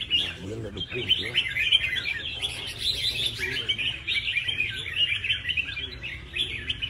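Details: Contest red-whiskered bulbul with a claimed perfect prize record gives a lively, continuous torrent of high bright whistles and chattering notes, varied and rapid, lasting several seconds.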